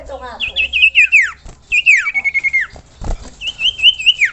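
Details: Common iora singing in a masteran recording: fast trilled whistled phrases that waver and then drop steeply, a second wavering trill sliding downward, a brief low thump, then a higher fluttering whistle.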